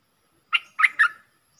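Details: Bulbul lure call recorded 31/12/2021, a very old decoy bird calling to draw a rival into a fight: three short, bright chirping notes in quick succession, the last two close together, then silence.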